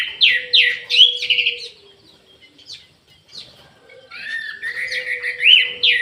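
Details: Orange-headed thrush singing energetically in an aviary: loud downslurred whistles repeated in quick succession, a quieter middle stretch, then a rising and falling warbled phrase with sweet, clear notes over a faint steady hum.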